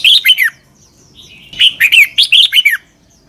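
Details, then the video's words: Thai red-whiskered bulbul giving doubled southern-style master song for youngsters to learn: a short three-note whistled phrase, a brief pause, then a longer run of about seven bright, down-slurred notes. "เสียงนกกรงหัวจุก เบิ้ล แม่บทใต้"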